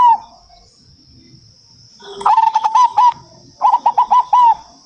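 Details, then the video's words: Local zebra dove (perkutut) singing in manggung style, used as a lure to make other perkutut answer. Near-quiet start, then two bursts of quick, rolling, evenly spaced coo notes, five to six each, over a steady high-pitched whine. "BURUNG PERKUTUT 100 PERSEN LANGSUNG NYAUT"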